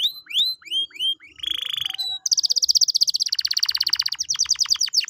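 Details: Canary song played to coax a quiet canary into singing again: rapid series of high upslurred whistles, then a buzzy trill and a long, fast, rattling roll of high notes ending in sharp descending chips.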